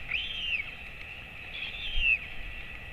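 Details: Royal albatross at Top Flat Track, about 28 August 2024, late in the breeding season with a chick nearing fledging and being fed by its father, gives two thin, high, squeaky wavering calls about 1.5 seconds apart over wind.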